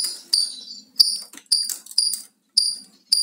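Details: Loud lovebird calling: shrill, harsh high chirps in sharp bursts, each fading quickly, repeated irregularly about every half second with short silent gaps between.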